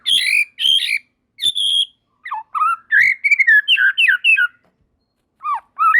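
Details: White-rumped shama (murai batu) singing vigorously as other shamas join in: loud clear whistled phrases, some sliding up and down, then a rapid run of varied warbled notes and short pauses.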